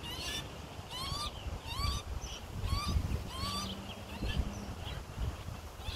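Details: Australian magpie fledgling fed by its parents in Melbourne, 2020, on its second day out of the nest; several hoarse rising begging notes in the first four seconds, then fading, above a constant low hum.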